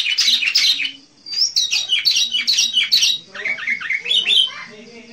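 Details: Sooty-headed bulbul (kutilang) singing in the lively 'gacor' style, recorded for luring wild bulbuls: bright chirping phrases around mid-high pitch, a short pause near one second, then rapid repeated notes and falling slurred figures.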